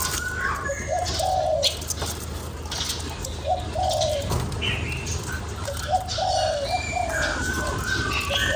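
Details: Spotted dove calling to excite a decoy bird, repeating soft throaty phrases of short coos ending in a longer wavering note, roughly every two to three seconds, with a low background rumble and scattered small bird chirps.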